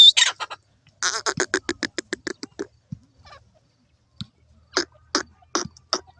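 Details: Grey francolin, called teetar in India, giving a fast series of short harsh clucking notes that speed up then fade, followed after a pause by a few spaced sharp notes.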